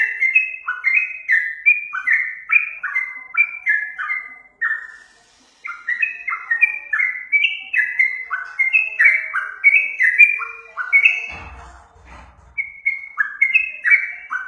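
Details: Lure recording of Yellow-vented bulbul singing: rapid series of liquid whistled phrases, stepping up and down, with a brief pause and a short rustling burst partway through before the song resumes.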